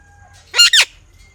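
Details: Parrot giving one loud, harsh double squawk, two rasping bursts in quick succession, against a quiet low hum.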